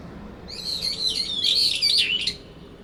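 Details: A loud, continuous, quavering and squealing phrase of nearly two seconds from brown-eared bulbuls disputing territory in a cherry tree in late September, the resident calling over its rival.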